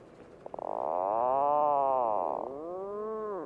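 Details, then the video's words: Puffin giving a long, drawn-out groaning call that starts with a quick stuttering burst and holds a rich, nasal tone for about two seconds, then slides into a shorter, lower moan. "Real Puffin Sounds"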